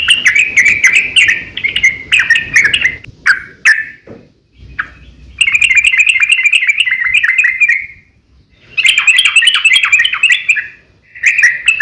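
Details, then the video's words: Yellow-vented bulbul in a long, rapid fighting song used as a lure for other bulbuls; bursts of fast, bubbly chattering broken by short silences near four, eight and eleven seconds. "KICAU SUARA trucukan gacor ROPEL panjang pancingan trucukan agar bunyi"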